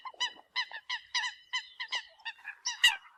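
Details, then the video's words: Rapid, bright, nasal notes of a Eurasian coot used as a decoy, in quick uneven bursts, with one louder, sharper note near the end. "TIEN CHIM SAM CAM CUC CHUAN TIENG CHIM MOI"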